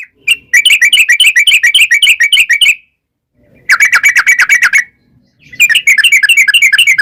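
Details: Yellow-vented bulbul in energetic long-rolling song style, used to lure wild birds into answering: three loud bursts of rapid, bubbly chattering notes, each lasting one to three seconds, separated by short silences.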